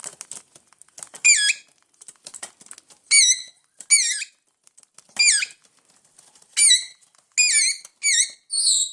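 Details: Hungry parrots indoors giving repeated rasping, wavering squawks roughly every second, mixed with soft patter and scratching sounds.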